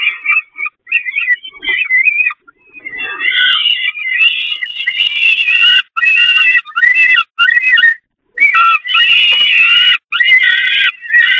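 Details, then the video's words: Begging peregrine falcons during a feeding on the nest grating of the Catharinakerk, May 2021: continuous harsh, wavering wails, rising in intensity, broken by brief gaps and clicks. "Slechtvalken Catharinakerk, Voedering op het rooster"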